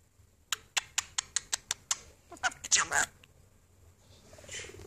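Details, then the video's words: Budgerigar sitting on a finger while being filmed, chatting: a series of sharp, evenly spaced clicking ticks, then a burst of raspy chatter and a soft fading warble. "george talking"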